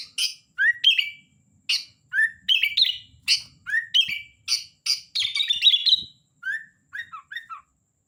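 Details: Sooty-headed bulbul (kutilang) singing busily, sharp chirps each paired with short rising whistles repeated about every half second, a longer warbled run near the end and a few soft trailing notes.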